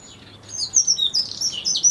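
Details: Eurasian wren chicks clamouring as an adult brings food shortly before fledging; loud, high, shrill overlapping squeals rising and falling in a quick excited chorus.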